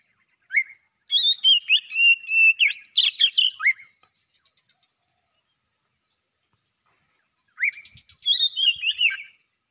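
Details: Lure bird, a black-breasted Oriental magpie-robin used to attract wild magpie-robins, delivering two bursts of song separated by about four seconds of silence, each a quick string of bright whistles, rising and falling slurs and scratchy notes.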